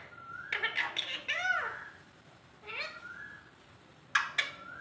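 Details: Alexandrine parakeet imitating speech: a string of chattering, speech-like syllables with arched tonal sweeps, a pause, then a softer rising-falling note and two brief sharp bursts.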